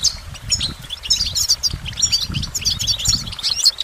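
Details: Goldfinch delivering sweet, high tinkling notes and short twittering phrases in quick succession, over a faint low background rumble.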